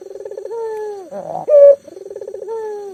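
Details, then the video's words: Local spotted dove in full voice, a lure for mute doves; fluttering pulsed coo and steady drawn-out note, a rough burst, then a loud ringing accent and another pulsed coo. "burung puter lokal gacor"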